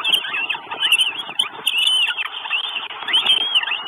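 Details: Northern goshawk chicks at a nest in Estonia, 2 June 2022, make a busy, overlapping stream of thin, high squeaks and chittering that rise and fall in quick bursts with almost no pause.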